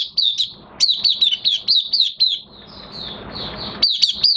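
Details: Oriental white-eye kept caged and in minor moult, June 2022: a quick run of sharp, high, downslurred chirps, then about a second of soft rustling before the bright twittering resumes.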